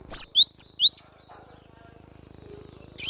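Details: Cinereous tit (glatik batu) singing vigorously: four loud, clear whistled notes, some sliding down and others rising, in quick succession within the first second, then near silence and a final rising whistle.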